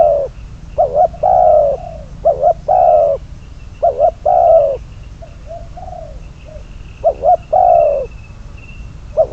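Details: Spotted dove used as a decoy bird for trapping, giving low, hollow coos in short phrases of two or three notes with a longer drawn-out coo, repeated every few seconds over steady background hiss and a faint high whine.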